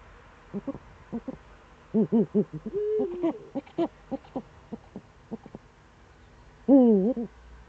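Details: Eurasian eagle-owl in the Eifel, Germany, recorded on 26 September 2013 around seven in the morning: short, deep hooted notes in irregular series, a longer wavering note midway, and a louder falling double note near the end.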